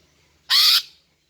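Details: Single harsh, broad buzzy rasp lasting about a third of a second, a female greater green leafbird call meant to lure males.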